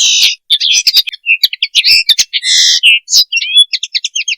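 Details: Common linnet (Linaria cannabina) giving what is presented as a mating call: a fast, varied, high-pitched jumble of twittering notes, buzzy trills and short whistles in quick bursts.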